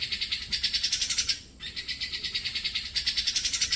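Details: Grey-cheeked bulbul recorded to train pet birds. It gives two bursts of fast, ringing pulsed trills with a short dip in the middle. The notes are high, even and rapidly repeated.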